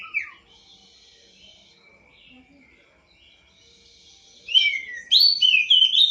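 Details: Poci bird (prinia) bathed nightly and kept for song contests; after a brief chirp and a long near-silent stretch, a burst of fast, shrill twittering warbles bursts out near the end.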